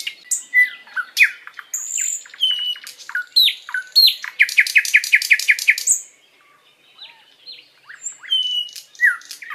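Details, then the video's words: Master song of a sikatan londo flycatcher, sung long and lively as a tutor for pet songbirds: varied high chirps and downslurred whistles, then a rapid run of about nine sharp repeated notes, a pause, and more chirps. "Masteran Burung sikatan Londo gacor panjang"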